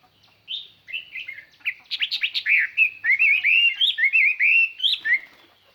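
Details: Chinese hwamei used as a lure bird, singing to call in and provoke wild birds; a loud, clear run of varied whistled phrases, slurred up and down, quickening into rapid repeated notes and far-carrying.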